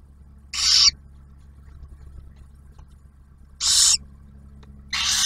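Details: Barn owl nest camera, Ottawa National Wildlife Refuge, Ohio: during a food delivery by the male to the female and newly hatched owlet, three short airy screeches break otherwise quiet air, a long pause between the first two.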